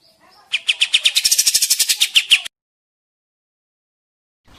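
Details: Flycatcher in chattering song: a two-second burst of rapid, sharp, high notes, about three per second at first and then quickening into a dense trill, followed by silence.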